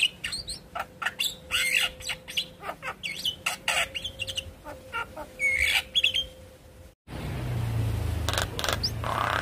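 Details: Javan myna lure song meant to make a silent bird start singing: scattered harsh rasps and sharp chirps with brief whistled notes, then an abrupt cut into a louder, noisier stretch with a few more calls.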